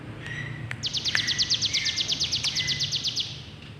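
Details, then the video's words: Sunda warbler, known locally as ciblek gunung, gives a fast rattling trill of high, evenly spaced notes lasting about two and a half seconds, preceded by a few thin whistles, over a low background hum. "Burung cibleg gunung unik suaranya"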